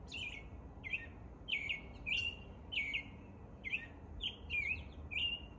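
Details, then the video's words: Spring morning song of an American robin, clear whistled caroling phrases given in quick succession, some doubled, about two per second, each dipping in pitch, above soft low background noise. "American Robin performing the morning song."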